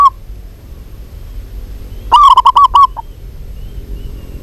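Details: A local zebra dove calls vigorously. One brief coo is followed by a short run of about seven rapid, rounded cooing notes that break off abruptly, with quiet background hiss.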